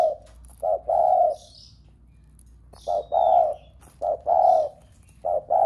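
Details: Spotted dove cooing to provoke other doves at home to call: short-long pairs of deep, mellow coos with a pause between groups, and soft high chirps of other birds.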